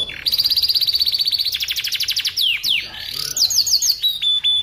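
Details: Canary singing strongly for song tutoring: a long, very fast even trill of about 190 notes per minute, then swooping falling notes, quick rising chirps and short flat whistles; clean with little background.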